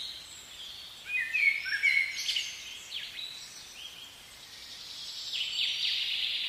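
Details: Common blackbird singing in a spring forest, a short run of low fluted, warbling whistles in the middle, set against a dense chorus of high, thin chirps from other birds.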